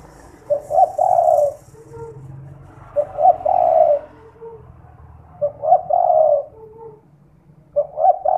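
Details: Spotted dove lure call, played at night to set other doves calling: four low, husky cooing phrases, each a stuttered lead-in swelling into a longer coo with a soft lower tail note, repeated about every two and a half seconds; faint hiss.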